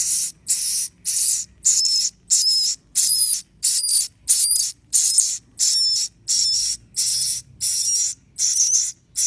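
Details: Swiftlet chicks calling: harsh, hissing, high-pitched rasping bursts repeated steadily about every half second to two-thirds of a second, each burst short and buzzy, with quiet gaps between and no other clear sounds.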